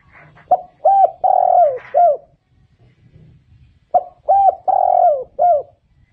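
Spotted dove giving two soft, mellow cooing phrases about three seconds apart, each a short opening note then drawn-out, slightly falling coos, against a quiet background.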